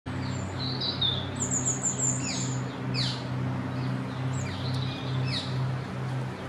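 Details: Goldcrest darting around in a yew tree in the leaf yard, giving very high, thin, sibilant notes, some in quick trilled runs and short downslurred squeaks, over a steady low mechanical hum.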